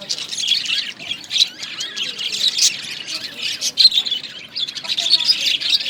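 Budgerigars chatter nonstop, a dense mix of scratchy warbles, squawks and high chirps.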